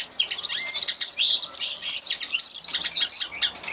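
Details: Common linnet singing: a dense, continuous twittering stream of fast, high chirps and short trills that barely pauses, fading slightly near the end.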